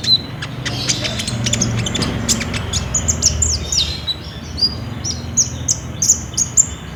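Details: Lively Olive-backed sunbird song used as a lure to make a caged bird sing, recorded with a Samsung J5 phone: high, clipped notes that build into an evenly spaced run of sharp chirps over a faint hum.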